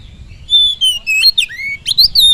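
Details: Oriental magpie-robin singing to provoke other birds: a long steady whistle gliding down, followed by quick rising and falling whistled slurs in a fluid, continuous phrase.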